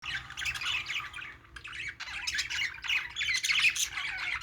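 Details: Budgerigars, also called parakeets, playing: dense overlapping chatter of squawky, warbling chirps, pausing briefly near the middle, with a low steady hum underneath.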